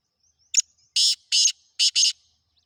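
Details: Black francolin, locally called Kala Teetar, giving one short sharp note and then four harsh, grating, buzzy notes in quick succession. The last two notes are run closely together. The background is silent.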